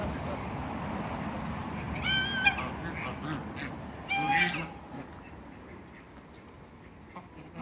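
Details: Domestic geese, African and Toulouse breeds, on a waterbird farm in Greece, meeting another animal; two loud harmonic honks about two seconds apart over low rumbling background noise.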